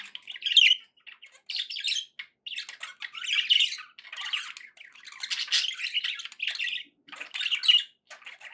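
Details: Pet budgerigars chattering in a steady warble: dense, scratchy bursts of squawks and chirps come in quick clusters, with brief gaps of about half a second between them and a few louder sharp notes.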